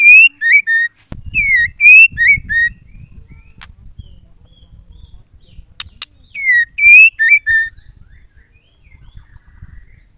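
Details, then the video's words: Female white-rumped shama song, used to stir male shamas into singing: loud, clear whistled phrases of falling and rising slurred notes in three separate bursts, with brief sharp clicks and faint low rumble between. "MURAI BETINA GACOR PENCETAK MURAI GACOR"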